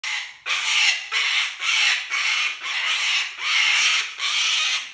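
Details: Pet parrot kept indoors in a house with other exotic animals, screaming loudly: harsh, broadband shrieks in about seven long bursts back to back, barely pausing, with a steady high whine underneath.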